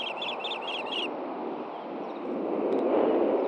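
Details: Osprey at a Montana nest-camera site in Hellgate Canyon, June 6, 2014, during a male's fish delivery to the female; four quick, paired whistled chirps open the moment, then only rushing background noise remains.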